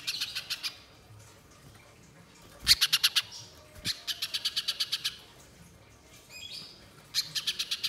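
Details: Spiderhunter played as a lure to trigger singing: several bursts of rapid, high, sharp chipping notes, each run of six to ten notes separated by short pauses, with a faint rising sweep between bursts.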